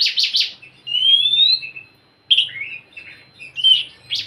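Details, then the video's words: Oriental magpie-robin song used to coax a quiet bird into singing: a few rough chirps, then long rising whistles around the middle and a burst of varied notes, with a faint low hum beneath. "Siulan KACER untuk kacermu yang malas bunyi"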